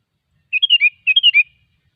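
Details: A wild sooty-headed bulbul delivers two near-identical phrases, each of four clear bubbly notes stepping up then dropping, half a second apart, with nothing else audible.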